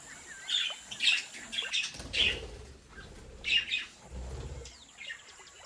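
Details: Budgerigars in a home breeding setup making brief bright chirps and twittering notes in clusters, with some low fluttering thumps and a constant high hum.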